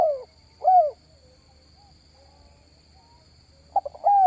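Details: Spotted dove (tekukur) calling to lure wild doves: two separate arched coos, a long pause, then quick stuttered notes starting a new phrase, over a steady faint high whine.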